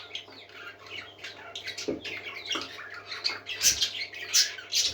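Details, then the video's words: A flock of parakeets chattering and singing, with rapid scratchy chirps and squawky notes piling on one another, growing louder toward the end over a faint low hum. "Happy Parakeets Singing"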